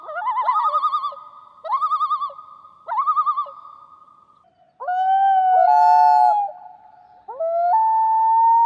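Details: Common loon; tremolo and wail; marking territory, calling a mate, or warning of danger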